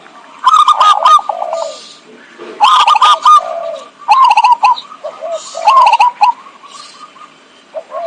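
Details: Zebra dove lure call used for trapping: rapid quavering coos followed by a lower drawn-out note, in phrases repeated about every two seconds.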